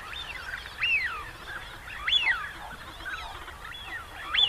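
Several wigeon give clear, arching whistles that rise and fall, overlapping in a loose chorus every second or so, over a soft background hiss.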